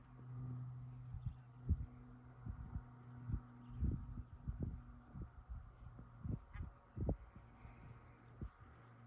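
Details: Low rumbling hum with a run of dull thumps and knocks, and no animal voices standing out.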